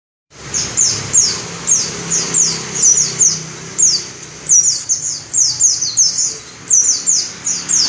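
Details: White-eye, locally called pleci dakun ngalas, singing its rolling song with open beak at shrill volume: thin, very high downslurred notes tumbling in quick bursts of two to four, repeated steadily for the whole stretch over a faint low hum.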